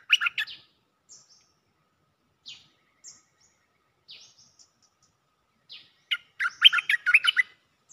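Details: Cream-vented bulbul giving its call to attract a mate. A short warbled burst opens, followed by scattered thin, high single notes. The passage ends in a rapid, chattering run of rich, bubbling notes.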